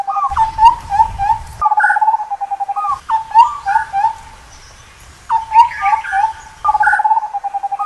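Indian scimitar babbler giving mellow, fluty hooting phrases of quick repeated notes, bursts of about a second and a half repeated several times, with faint rumbling background noise.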